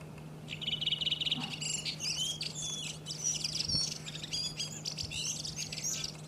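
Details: Redwing song recorded in Iceland in April: an opening fast rattle of high notes, then a busy stream of squeaky whistles and chirps, with a faint low hum throughout.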